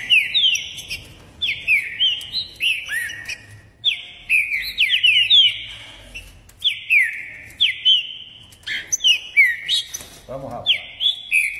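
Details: Trinca-ferro, or green-winged saltator, in Caxias, Rio de Janeiro, delivering ordem e pressão song: rapid, ringing whistled notes sliding downward in dense clusters. A brief lower sound intrudes near the end.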